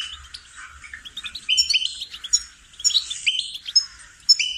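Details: Goldfinch song for training songbirds, starting with soft twittering that swells into louder bursts of sharp chirps and piercing bell-like notes, arriving roughly every half second.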